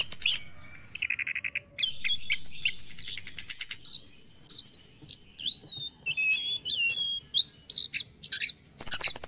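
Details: Orange-headed thrush morning song for coaxing stressed caged birds to sing: a low buzzy trill, then lively mixed chatter, curling high whistles in quick succession, ending in a dense ticking rattle.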